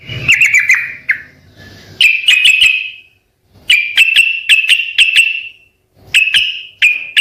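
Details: Sooty-headed bulbul song used to draw replies from other birds: short bursts of sharp repeated chips over a ringing tone, in groups separated by brief silences, with a faint low hum at the start.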